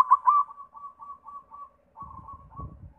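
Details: White zebra dove lure song: two loud clipped coos, then a soft repeated trill of cooing notes; low rumbling noise enters after two seconds.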